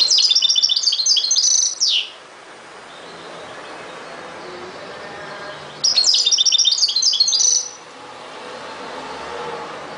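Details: Two bursts of European goldfinch song about six seconds apart, each a rapid twittering phrase ending in a buzzy falling note, with faint background noise between.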